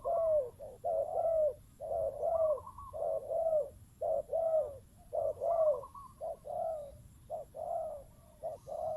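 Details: Spotted dove used as a decoy bird, heard with a wild dove: continuous deep coos, short and long notes interleaved in an uneven rhythm.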